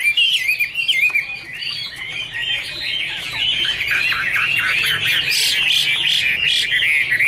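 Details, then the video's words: Chinese hwamei song, 2017: rich, varied whistled phrases that start in loose bursts and then thicken into a dense, rapid run of looping, slurred notes. "Angry Birds Dance and Sing| Iron Ax Blade Cut Wood| Bird Chinese Hwamei 2017"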